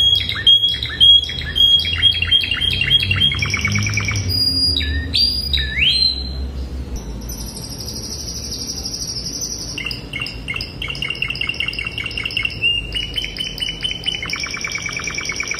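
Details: A Spanish Timbrado canary sings classic song used to train young birds: rapid metallic trills, rolling chatters and high sustained whistled notes.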